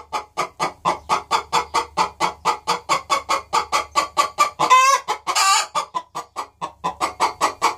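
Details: Two hens cackling together in a nest box before either had laid an egg: a loud, steady run of rapid, harsh clucks, about four each second, broken midway by a rasping, drawn-out squawk before the clucking resumes.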